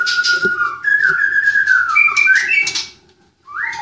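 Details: White-rumped shama, captive-bred, in Klaten: rich whistled phrases, a long quavering note near mid-pitch sliding upward into higher whistles, a short pause, then a rising whistle.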